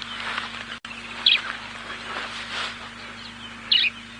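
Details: At sunrise (about 5 AM, 28 Nov 2017) in Sabi Sand, South Africa, a Grey-headed Sparrow, probably nesting in the bush, calls with two short high chirps about 2.5 s apart over hissing wind or engine noise and low hum.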